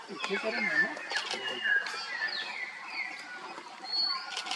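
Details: Several Common hill mynas (Gracula religiosa) at Rongtong, West Bengal, India, in March 2023, give loud, clear whistles that slur downward, about one a second, mixed with sharp clicks and voice-like chatter.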